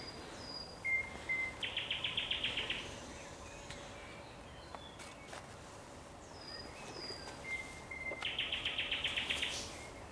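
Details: Thrush nightingale song at sunset, 30 May 2021: two phrases, each opening with thin high whistles and a short flat note, then a rapid rattling burst of about a dozen repeated notes.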